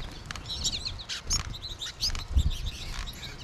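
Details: American goldfinch flock in March with birds in the trees above; clear high chirps and short twittering notes from several birds, mixed with soft thumps and a low background hum.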